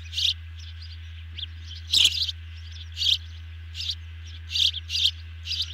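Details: Evening feeding at an osprey nest, June 2020, picked up by a nest camera. Loud, squeaky chirp bursts about once a second, with softer notes between, over a steady low background hum.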